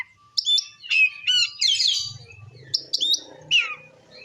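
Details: Oriental magpie-robin giving ngeplong song to provoke other magpie-robins: bursts of bright, clustered whistles and a rich, buzzy phrase, with a soft low rumble in the middle and a final falling whistle.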